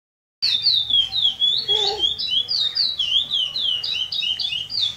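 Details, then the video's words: Young chestnut-bellied seed finch (curió pardo), eight months old, from southern São Paulo, rehearsing the classic praia grande song style for tournaments: a fast run of clear whistled notes, each sliding down, repeated about four per second, with faint background music. "Curió pardo cantando"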